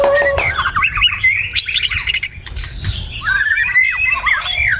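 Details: Singing in the morning, a white-rumped shama delivers a steady low whistle, then quick varied warbled phrases of looping whistled notes, pausing once before another rich sequence.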